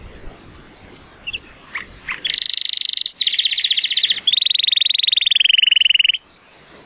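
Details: Sunny-day song of a male Timbrado Español canary born in 2018, rated 83 points. After faint background noises, three bursts of rapid buzzy trills follow one another, the last slightly lower and smoother.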